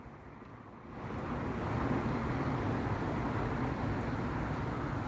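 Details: Steady roar of road traffic and passing vehicles swells after the first second and holds, with no animal voices heard.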